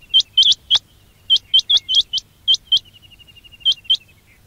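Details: Batair quail calls meant for trapping: crisp rising chirps delivered singly and in pairs, with a thin trailing whistle fading away near the end.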